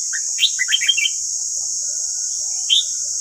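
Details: Red-whiskered bulbul song used to train caged wild-caught and white-cheeked bulbuls to sing: a quick burst of bright, warbling whistled notes, then a pause and one more rising note, over a steady high hiss.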